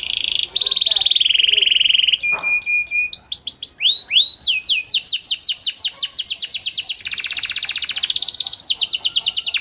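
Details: Varied panda canary lure song for stirring silent canaries to sing: a held whistle, a buzzy note, choppy pulsed tones, then rising slurred notes building into a rapid, rolling trill.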